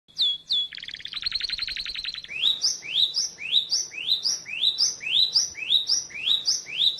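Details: White-eye (pleci), male and female: a brief sharp downslurred note and a fast buzzy trill, then high rising upslurred whistles repeated about twice per second, with faint background hum.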